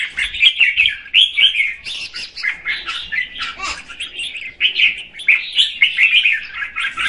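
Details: A female red-whiskered bulbul singing to excite the male, delivering a continuous run of lively, bubbling chirps and warbles that swell and fade in quick waves.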